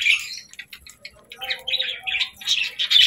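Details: Budgerigar chirping and singing, happy: quick twittering notes and squeaky chirps, rising into louder, harsher warbled bursts near the end.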